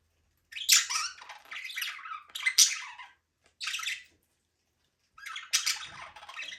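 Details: Pet budgies in a small aviary, flying and playing, make loud rasping chirp bursts with short pauses between them, some notes sliding downward at the end.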